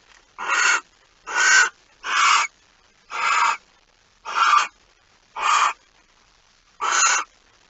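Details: Barn owl sounds at the nest at dawn on 26 August 2019 while prey is carried in: seven short, raspy, hissing bursts at uneven intervals, some closely paired, otherwise a silent background.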